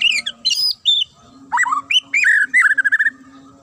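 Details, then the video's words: Murai batu, the white-rumped shama, in sharp, clear fighter-style singing. High chirpy notes lead into swooping slurred whistles, then loud varied phrases ending in a rapid string of evenly repeated notes. A low steady hum sits underneath. "AKSI MURAI FIGHTER 2 LENGKINGAN SUARA TAJAM & JERNIH"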